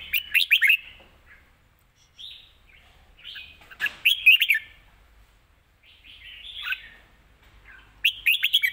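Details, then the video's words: Live Thai cage red-whiskered bulbul in fast-chopping 'rik' song with fine phrasing: three or four clear warbled phrases, each a quick run of slurred notes, separated by short silences. "สด ริก"สับไว สำนวนดี"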